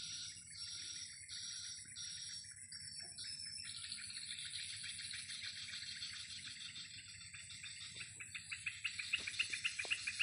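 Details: Swiftlets flying and playing above a swiftlet house in the afternoon: a dense, continuous twittering of high chirps with bursts of rapid, clicking notes building toward the end, and a low steady hum beneath.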